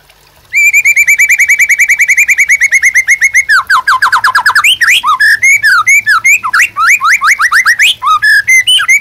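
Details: Energetic white-rumped shama in captivity, serving as a training and bait song: a long rapid trill of identical whistled notes for about three seconds, then a falling series of slurred notes and varied loud whistles and squeaks.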